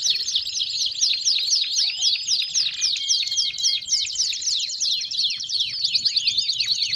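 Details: Belgian canaries pour out rapid slurred notes and trills, repeated about four times a second, with short level whistles woven in and the song rising and falling in loudness.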